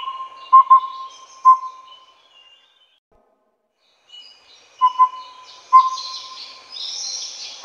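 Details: Glaucidium brodiei pardalotum, the Collared owlet of Taiwan, calling two rounds of toot-toot, toot whistles separated by a quiet gap; louder high-pitched chatter of other birds toward the end.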